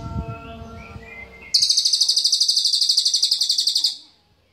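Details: Cililin singing a sharp, densely packed high trill of rapid pulses for about two and a half seconds, preceded by a brief burst of low noise and faint tonal notes.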